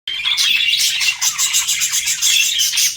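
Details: Pet budgerigars flirting, a dense continuous warble of chirps and scratchy chatter, bright and high, running without pause across the clip.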